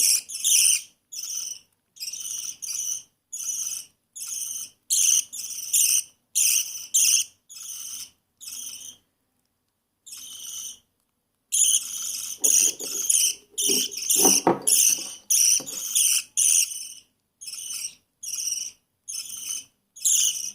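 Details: A baby budgerigar being fed gives harsh, raspy begging chirps in quick repeated bursts.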